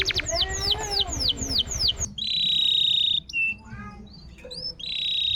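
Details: Canary song used as a prompt for a canary that has stopped singing: falling chirped notes over a noisy background, then long level whistles separated by brief pauses.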